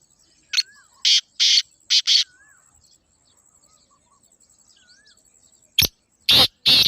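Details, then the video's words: Black francolin calling: loud, harsh, buzzy grating bursts in a quick irregular phrase, a pause, then another burst of three, with faint thin whistles from other birds in a quiet outdoor setting. "کالے تیتر کی آواز | Black Francolin Beautiful Call"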